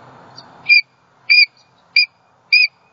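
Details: Female bald eagle on her nest in Southwest Florida, 28 December 2020, calling in distress after a great horned owl struck her mate off the nest. Four sharp, high, thin whistled notes, about 0.6 seconds apart, after a soft background hum.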